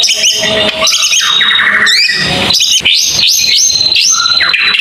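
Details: White-rumped shama singing in long bursts (tembakan panjang): bright stacked whistles, a quick falling trill-like series, then rising sweeps and sustained high notes, energetic and unbroken.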